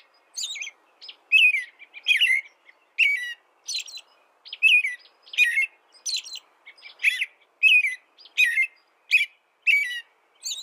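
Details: Long run of American robin song, suited for masteran training of birds: a steady string of short clear whistled phrases, about fifteen in ten seconds, alternating higher and lower notes.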